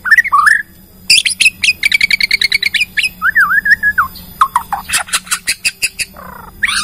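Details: Bornean white-rumped shama lure song showing its full repertoire of fill-in phrases, used to make other shamas sing. Rising whistles, a steady train of chattering chips, a wavering warble, then rapid high ticks.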